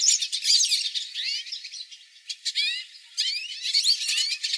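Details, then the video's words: Hooded siskin flock song recorded live: bursts of quick, high descending slurred notes and twittering phrases, separated by short quieter gaps, then resuming in a lively rush. "Pintassilgos cantando em bando"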